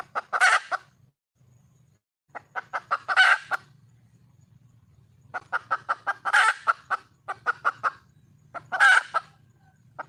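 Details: Wild junglefowl hen calling out for a male: repeated cackling bouts, each a quickening string of short clucks peaking in a coarse, loud squawk, four peaks over ten seconds with gaps between.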